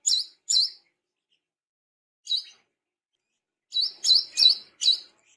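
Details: A tame, actively singing brown-throated sunbird gives sharp, high, slurred chip notes: a pair, a lone note, then a quick run of four, against a quiet background.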